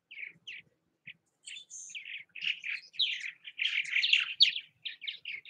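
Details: At nest houses in Southwest Missouri, purple martins begin with scattered chirps, then build into a rapid, run-together chatter of gurgling and creaky notes.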